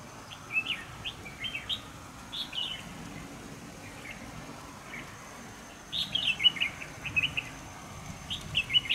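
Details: Red-whiskered bulbul singing during trapping with a decoy bird, recorded 25 November 2018. Short bright chirpy phrases in small clusters, with a louder run of twittering notes after a lull, over steady low outdoor rumble.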